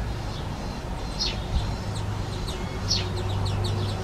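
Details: European greenfinch (Chloris chloris) fledglings begging from parents, which attend the young for about two weeks; short high chirps in small bursts around the first and third seconds over a steady low rumble.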